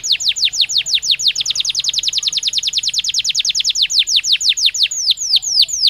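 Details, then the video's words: Singing naturally, a Belgian canary delivers a fast, even trill of bright descending notes that loosens into slower, separate sweeps near the close. "Canario Belga Cantando Naturalmente"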